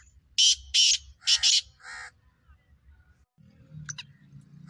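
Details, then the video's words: Black francolin, a kept bird prepared for the calling season, giving loud rasping notes: two long harsh bursts, a quick doubled note and a softer banded note, then quiet with faint low background hum. "Black francolin voice"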